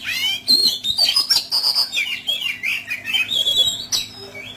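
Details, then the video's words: Oriental magpie-robin rough fill-in training song: rapid, varied high phrases that mix rising sweeps, sharp chips and scratchy buzzes in quick succession, energetic and unbroken. "SUARA BURUNG KACER ISIAN KASAR | TERAPI KACER AGAR GACOR"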